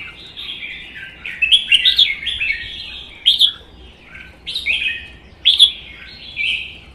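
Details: Caged red-whiskered bulbuls singing competitively, one a one-season wild-caught bird. Clear, cheerful, downslurred whistled phrases repeat roughly every second, with brief sharp high notes.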